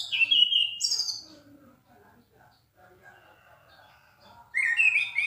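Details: Orange-headed thrush in loud, clear song: an opening pair of strong whistled phrases, a quiet gap with faint low sounds, then another burst of rapid high whistles.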